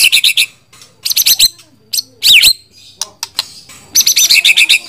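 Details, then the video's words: White-rumped shama song in loud, separated phrases: fast rattling strings of high notes alternating with a rising and falling whistle and a few sharp clicks, with short silent gaps. "Suara Burung Murai Batu"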